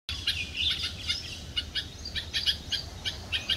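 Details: A red-vented bulbul on a palm tree in Pune, Maharashtra, India, on a May 2024 morning gives quick, bright chirping notes in short bursts, several per second, over a steady low hum and faint background noise.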